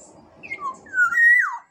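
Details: Sumbawa black-naped oriole giving a short fluty phrase: two soft whistled notes, then a rich, loud, sustained whistle that swells and drops away, over a low background murmur.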